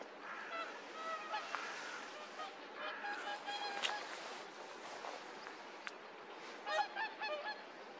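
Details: Brant geese at Verken, Heradsbygd, in 2023: several birds give overlapping nasal, harmonic honking calls in rapid irregular bursts, with a steady broadband hiss behind.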